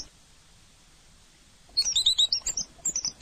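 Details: After nearly two seconds of quiet, an orange-headed thrush breaks into a rapid string of high, sharp whistled notes and short slurs, delivered fast and unevenly.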